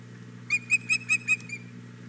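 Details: A female osprey begs for the fish her mate carried to the nest at Hog Island Boathouse on a May 2017 morning: five evenly spaced, clear whistled chirps followed by a softer trailing note.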